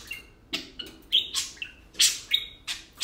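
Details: Playful tame parakeets, two birds, give a short run of squeaky chirps and level whistled notes, each separated by brief gaps, with harsh scratchy bursts between them.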